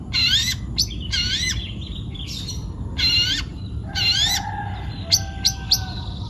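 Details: Long-tailed shrike, a young bird taken from the forest, sings loud grating bursts with warbled tones inside, spaced about a second apart. A few short sharp clicks come near the end over low background noise.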